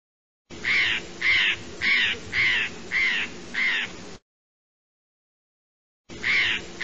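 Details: Eurasian jay giving harsh, rasping screeches, six in a row about every half second, then a pause of nearly two seconds before another begins; broadband noisy calls with no other sounds.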